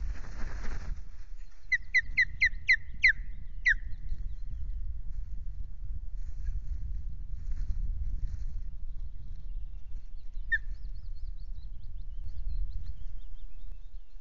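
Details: Osprey at the RSPB Loch Garten nest camera on 26 May, on a day that ends with a half fish; a quick run of six sharp, downward-slurred whistled notes, then one lone note later, over a steady low wind rumble.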